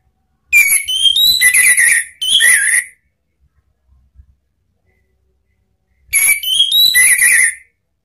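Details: Orange-headed thrush song in the ngeplong and ngeriwik styles from Indonesia, used as a lure for cage birds: two loud phrases of varied rising and falling whistles, about six seconds apart, with quiet between them.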